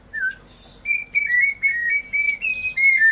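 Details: White-rumped shama song, played as a lure to stir shamas that have stopped singing, gone mute or lost form: clear whistled notes near one pitch, the first dipping, then a steady run of short level whistles with brief gaps.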